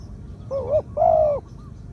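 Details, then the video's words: Medium-voiced spotted dove kept for decoy use sings one phrase: a short undulating coo, then a long steady coo sinking at its end, followed by a faint brief note. "2 กุก คูอ่าง คารม เสียงกลาง ตัวนี้น่าเก็บทำนกต่อครับ นกเขาใหญ่ต่อดิน เสียงนกเขาใหญ่"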